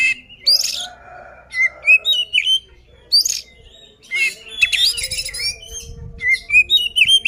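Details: Loud fighting song of an oriental magpie-robin, played to make rival birds agitated; clear high whistles alternate with raspy buzzy bursts and chattering strokes, phrases separated by short gaps.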